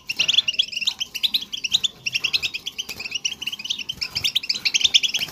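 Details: European goldfinch song for encouraging a goldfinch to sing, a dense, unbroken stream of high chirps and tinkling trills with buzzy notes mixed in, steady in loudness throughout.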